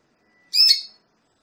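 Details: A female Belgian canary, kept to stimulate a male, gives a single harsh, squawking note, about half a second long and high-pitched, in an otherwise quiet room.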